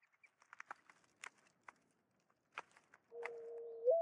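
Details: Mourning dove in woodland: scattered faint ticks and taps, then a soft, low, steady cooing note held for almost a second before lifting upward at the end.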